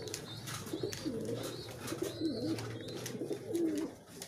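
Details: Low, rolling pigeon coos repeated several times while the birds race each other to eat, with thin high chirps from other small birds and dry pecking clicks behind.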